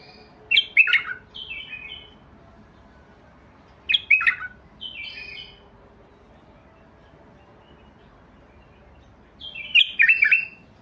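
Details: Three loud bursts of bubbly, rollicking notes from a White-eared Bulbul (Basrawi bulbul), each followed by a softer, descending whistled tail, spaced several seconds apart with quiet gaps between.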